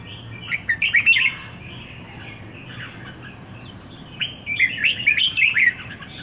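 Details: Two chattering, warbled song phrases from a red-whiskered bulbul kept one week in Singapore, the first near the start and a louder, longer one toward the end, quiet between.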